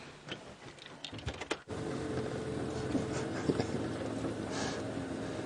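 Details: Safari drive at sunrise, with a vehicle engine droning steadily, clicks and knocks in the first seconds, and a faint tonal hum throughout; no animal voice stands out.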